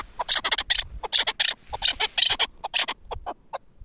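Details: Caged four-year-old Pamir chukar partridge kept as a hunting decoy bird; rapid series of sharp, clucking chuk notes in uneven bursts, some doubled, continuing throughout with short pauses.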